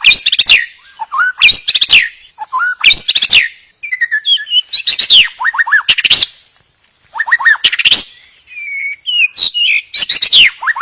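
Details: Song of a white-rumped shama, played to spur other birds to sing; loud varied phrases mixing sweet whistles, rapid trills and harsh rattling bursts, separated by brief pauses.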